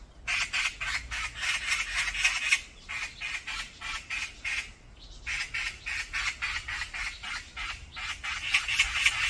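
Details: A group of brown-eared bulbuls fighting across a mountain: nearly continuous grating, rasping squawks repeated about four times a second, with one brief lull midway before the noisy series resumes.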